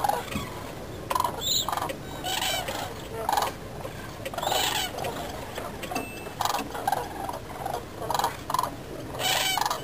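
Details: Demoiselle cranes (Grus virgo) at Agamon Hula, Israel, 12 March 2010, give harsh, raspy trumpeting calls in short bursts every second or two, over a steady hiss of background noise.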